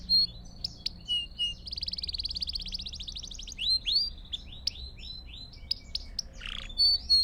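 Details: Canary singing pure, continuous song for training fledglings, brisk trills of rapid notes alternating with whistled slurs and sharp chirps, over a soft background hum.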